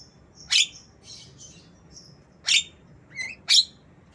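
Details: Black-winged myna copying lovebird sounds, meant as tutoring material for mynas and lovebirds; loud scratchy shrieks alternate with thin high whistles and a short rising chirp, all in quick succession.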